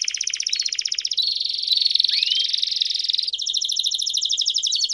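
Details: Belgian canary bell song ("campainha"), used to stimulate other canaries to sing: a fast, continuous trill of bright, bell-like notes with a few rising whistles, the rolling pulses shifting in speed partway through.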